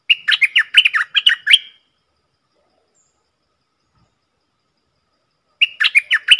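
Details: Stripe-throated bulbul decoy song: a rapid, chattering phrase of about ten warbled notes lasting under two seconds, then a long silence, then the phrase begins again at the end.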